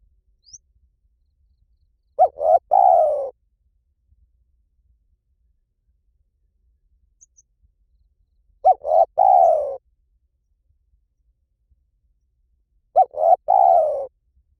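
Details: Spotted dove in Liu Tan style coos, played to train a dove to answer. Three soft, low phrases of three quick notes, each ending in a drawn-out hoot, spaced about five seconds apart amid silence.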